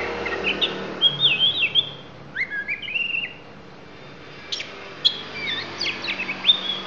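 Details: A Lampung oriental magpie-robin sings varied whistled phrases, some sliding and some sharp, mixing in borrowed notes in quick bursts, over a faint low hum.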